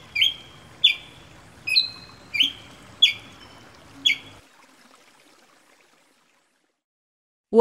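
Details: A Ruby-crowned Tanager from Brazil gives six sharp, bright notes about two-thirds of a second apart over a soft background hiss, then falls quiet.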